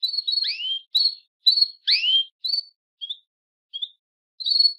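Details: Female Belgian canary calling to breed, opening with a quick run of chirps and two rising swooped notes, then fading to a few soft, sparse chirps before a final brighter call.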